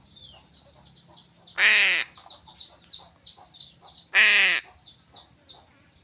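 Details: Two harsh caws from a crow being fed fish stand out above a busy background of short, high chirps from small birds.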